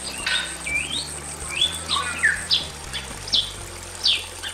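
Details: Loud song of a male and female Bali myna in a simple aviary: long slurred whistles, one rising and one falling, followed by short sharp whistled notes repeated about once a second, over a steady high whine.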